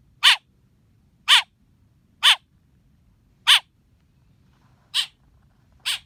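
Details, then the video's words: Baby blackbird chirping: six harsh, broadband chirps spaced about one second apart, the last two slightly softer, with quiet low rumble between them. "Baby black bird chirping"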